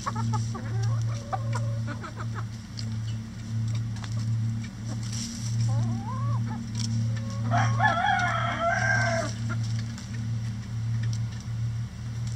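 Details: Chickens in a run destroying a hanging cabbage ball for enrichment; early clucks and a rising call, then a loud harsh crow-like call around the middle, all over a steady low droning hum.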